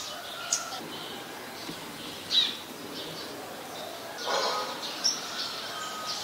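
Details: A male Scarlet-backed Flowerpecker (Dicaeum cruentatum) in Ubon Ratchathani, Thailand, on 18 February 2021, gives a few thin, sharp, very high ticks spaced irregularly a second or two apart, over soft outdoor hiss.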